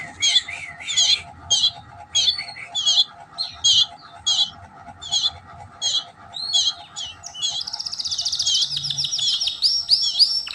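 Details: Gloster canary singing in a training recording: a series of short bright chirped notes at irregular spacing, then a fast buzzy trill near the end, with a faint steady low hum underneath.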